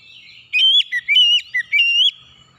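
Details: Lure song of an oriental magpie-robin, meant to get reluctant birds singing quickly: about five or six bright whistled notes in a fast, uneven burst, each sliding up or down in pitch.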